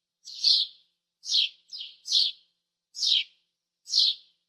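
A sparrow gives six bright, falling chirps at an uneven pace, roughly one a second, two close together near the middle; nothing else is heard.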